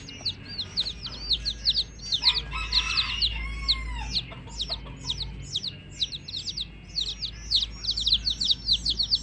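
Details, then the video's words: Flock of baby chicks giving continuous high, descending peeps in quick succession, with a lower, throatier clucking sound from a bird rising through the chorus near the start and a steady low hum. "Hen Baby Chicks, Witty MURGI Baby "Chicks Chirping" Sound"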